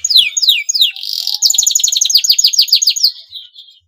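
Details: Male canary in breeding condition giving 'cuit cuit' calls meant to stir rival canaries into singing: several high, sharply descending whistled sweeps, then a fast run of bright repeated chirping notes fading out near the end.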